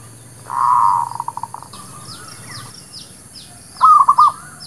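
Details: Zebra dove lure song for trapping and for training new birds: a sustained cooing note dissolving into rapid staccato pulses, then a short stuttering coo phrase, while faint high chirps from other birds repeat in the background.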